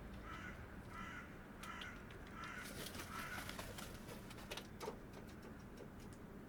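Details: Hooded crow recorded in the wild giving a run of five or six harsh, hoarse caws in quick succession, then a few sharp clicks over a steady background hiss.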